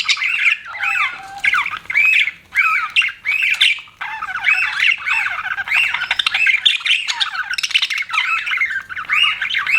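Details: Pet budgerigars chirping: a dense, continuous warble of bright twittering notes and short squawks, overlapping with barely a pause, and a brief low steady tone near the start.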